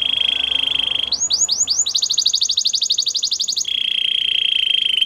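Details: Canary singing: a steady, bright trill opens, then a few rising sweeps lead into a fast rolling trill of rapid repeated notes, before the clear steady trill returns.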